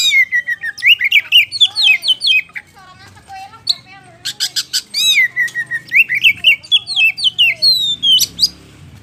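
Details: Caged White-rumped shama in full, energetic song: fast varied phrases of bright whistles, sweeping slurs and dense rattling clicks, delivered almost continuously with only a short dip in the middle.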